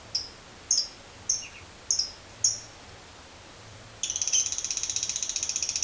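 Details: Lovebird making five spaced, slurred high chirps, a short pause, then a sudden burst of dense, rapid chattering trill in the long 'ngekek' manner.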